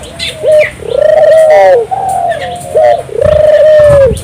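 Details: Indonesian puter turtle dove singing vigorously, used to stimulate local doves to sing: low, drawn-out coos with short rising lead-in notes, repeated in three long phrases, loud and close.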